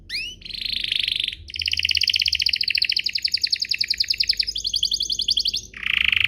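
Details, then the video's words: Canary song meant to set other canaries singing quickly: a rising chirp and a buzzy burst, then a long, loud, steady rapid trill that shifts pitch midway, ending in a harsh buzz. "Pancingan Burung Kenari agar CEPAT BUNYI, terbukti ampuh bikin burung kenari lain nyaut"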